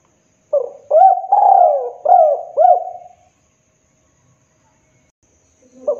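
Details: Spotted dove calling as a trapping lure: one phrase of mellow coos, a short note, a long drawn coo and two quick rounded notes, then a long silence before the next phrase begins.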